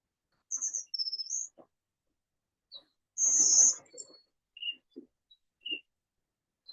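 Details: Golden-winged Warbler, a species found at Itasca State Park and Sherburne National Wildlife Refuge, Minnesota: very high, thin buzzy notes, then a louder drawn-out buzz, followed by a few faint high chips, with low room noise underneath.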